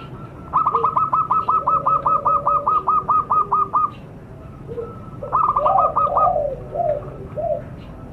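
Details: Zebra dove call used as a lure for wild birds: a long string of about fifteen rapid staccato coos, a pause, then a shorter string with softer low coos mixed in, over a low background hum.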